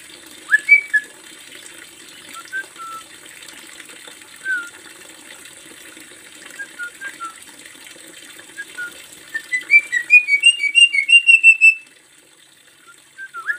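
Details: Javan myna song from a master recording used to train cage birds: scattered short whistled notes, then a quick run of sharp, rising whistles near the end, over a faint steady hiss.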